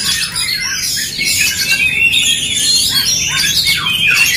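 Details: Oriental magpie-robins in a fighting duel, singing to stir aggression: dense, overlapping high whistles and rapid chirps with sweeping rising and falling notes, continuous throughout, no pauses.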